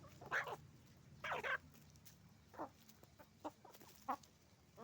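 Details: Roosters and hens at a chicken farm making noise: separate loud clucks and squawks in bursts about a second apart, with softer scattered clucks between them over a low background hum.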